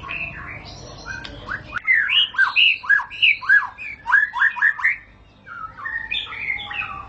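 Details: White-rumped shama song used to set shamas 'ngentrok' straight away: after a soft opening comes a loud run of about a dozen clear, downward-slurred whistled notes, fast and rhythmic, then quieter warbling phrases.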